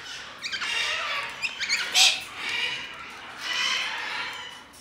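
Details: Galahs and Major Mitchell's cockatoos squawking: a run of harsh, scratchy calls, several sharp clipped notes, then one loud screech, followed by a longer raspy cry.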